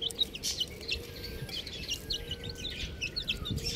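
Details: Little buff chicks calling together in a continuous chorus of sharp, very high cheeps, several per second, with a faint long falling whistle beneath and steady background hum.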